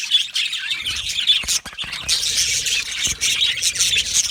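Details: Yellow male budgerigars in an aviary, a busy flock chorus of harsh squawks and chirps, briefly dipping about one and a half seconds in before resuming at full volume.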